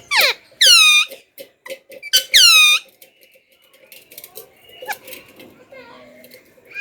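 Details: Talking parrot giving two loud harsh squawks with stacked harmonics, then softer clicks, chatter and faint squeaky notes indoors.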